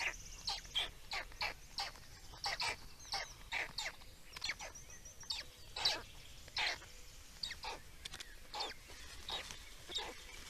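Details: At a black stork feeding in Estonia, 17.05.2019, quick strings of short harsh squeaks and rasps follow one another rapidly, several per second at times, with a thin high whistle from another bird in the background.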